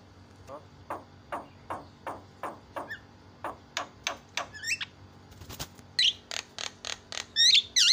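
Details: Javan myna song used to provoke other mynas, a varied sequence of sharp, repeated notes about every half second, first mid-pitched then shifting to loud high squeaky and buzzy notes, with faint background hum.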